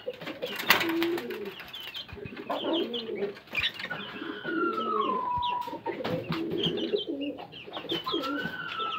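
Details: Fancy domestic pigeons kept as a hobby in Karachi, Pakistan, cooing indoors: low rolling coos overlapping from several birds, with higher whistled gliding tones and short chirps above, plus sharp clicks and knocks.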